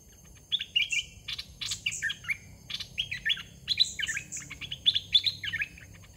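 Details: Decoy red-whiskered bulbul in a cage, set out to draw in young wild birds. Lively chortling phrases of rising and falling whistles repeat in quick succession, several voices overlapping at times.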